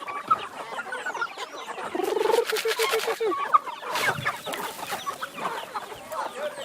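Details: Free-range chickens in Brazil calling while being fed: a quick run of evenly spaced, clipped clucks stands out midway, over a busy mix of scattered chirps and squawks from the flock and a few broadband thumps.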